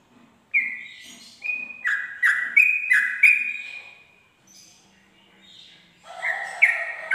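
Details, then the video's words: Sooty-headed bulbul at dawn in ropel style, a lure for tutoring birds: a few whistled notes stepping between two pitches, a pause with faint low murmurs, then a louder burst of whistles. "pancingan trucuk ropel subuh"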